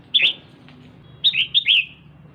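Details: Captive female red-whiskered bulbul calling to rouse a male: one sharp slurred note, a pause, then two clear, bright notes dropping in pitch, over a soft low hum.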